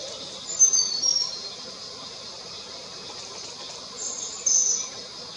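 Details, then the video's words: A Snowy-browed flycatcher (Ficedula hyperythra) calls with very high, thin whistled notes in two brief bursts about three seconds apart, over a steady hiss of insects. "Snowy-browed Flycatcher (Ficedula hyperythra)- Calling"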